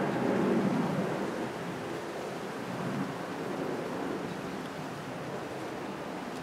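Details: Steady roaring wind or surf-like noise fills the recording from start to finish, with no animal calls heard.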